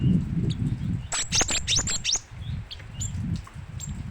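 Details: Great tit, known locally as gelatik batu, singing vigorously: a burst of thin, very high chirps and short whistled notes around the middle second, over a low rumbling background.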